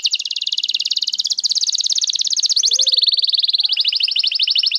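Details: Continuous canary song meant for tutoring young canaries and prompting non-singing birds: one long, rapid, rolling trill that shifts slightly in pitch several times without a break.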